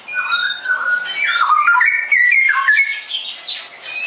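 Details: Cucak rowo, or straw-headed bulbul, singing actively: a continuous, rich, bubbling warble of overlapping whistled notes that slide up and down across a wide range of pitch.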